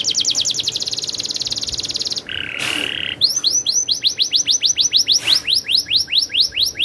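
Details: Canary in a rolling, lively song: fast trills of high sweeping notes, a brief buzzy harsh phrase, then rapid downslurred whistles repeated about twice a second.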